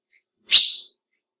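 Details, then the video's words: One sharp, high chip from a female ultramarine grosbeak (azulão), a call meant to excite males, with a bright attack and a short trailing fade in silence. "PIADO DE AZULÃO FÊMEO Para Esquenta qualquer Azulão!"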